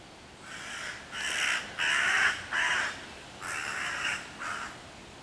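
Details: Six harsh, grating caws in quick, uneven succession from a hooded crow mobbing five young raccoons waiting in a tree near their hollow, June 2023, calling other crows to attack.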